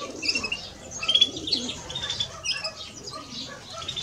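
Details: European greenfinch song from a male and female: scattered high chirps and quick twittered phrases with a few short trills, against soft background noise.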